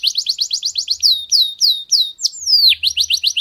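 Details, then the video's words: In a garden, a canary sings a rapid string of high chirps followed by loud sweeping downward whistles and one long descending slur, with a faint low hum in the background. "Canario cantando en el jardín"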